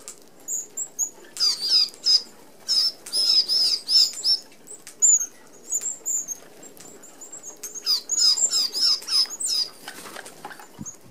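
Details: Red-browed finches feeding as a flock at an open aviary feeder in Australia: runs of rapid high, slurred chirps come in dense bursts separated by quieter spells of single thin notes and fluttering wings.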